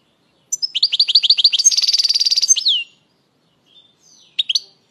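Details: Song of a European goldfinch played to stir birds and coach young goldfinches: a run of upswept twittering notes leading into a fast buzzy trill and falling slur, then a brief pair of high chirps.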